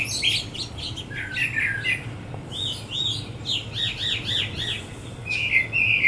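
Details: A Brown Thrasher in a Bradford pear on Feb 23, 2018 sings varied, loud phrases of rich chirps and slurred whistles, some repeated quickly, joined vocally by a second bird over faint background hum.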